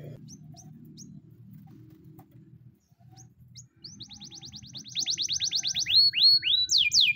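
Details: Training song of a white Spanish Timbrado canary: scattered quiet notes and a pause, then a quickening trill of clipped pips building louder into broad swooping whistles at the end.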